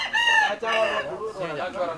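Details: Fighting roosters in Bali, fitted with blades by their owners just before a cockfight starts once bets are agreed; hoarse, strained crowing with strong harmonics in two drawn-out phrases, followed by a lower, rougher, wavering call.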